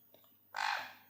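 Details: Sun conure, a pet in the morning, apparently unfed and calling to be picked up, lets out a single harsh, grating screech about half a second long, loud and raspy, after a moment of quiet room noise.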